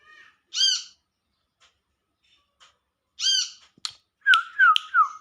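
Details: Wild olive-backed sunbird calling to companions with two bright harmonic 'wiceh' notes, then a quick series of lower, sliding whistled chirps at the close.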